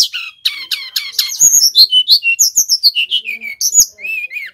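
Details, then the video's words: Male brown-chested jungle flycatcher from Bali in full, energetic song used as a lure and master recording: rapid, varied high whistled and squeaky notes, rising and falling slurs repeated several times a second, with brief harsher chatter near the start. "Sikatan rimba dada coklat bali gacor - PIKAT Burung SRDC"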